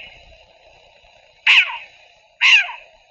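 A Short-eared Owl gives two harsh, raspy, cat-like barks about a second apart, over a steady background hum.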